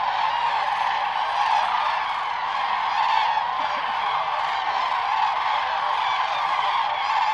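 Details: At sunrise, migrating common cranes are drawn towards land at Lake Hornborga in Sweden. A massed chorus of trumpeting calls, with single clearer cries rising now and then above the steady din.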